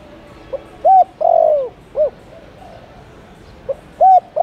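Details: Lure call of a spotted dove: a soft tick, an arched hoot, a long mellow coo sliding downward, a final rounded hoot, then the next phrase starts with a tick and hoot.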